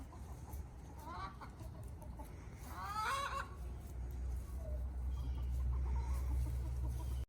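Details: Five-month-old Buff Brahma rooster calling in the morning: a short harmonic squawk near 1.2 seconds, then a louder, rough, wavering burst around 3 seconds, with low steady background hum throughout.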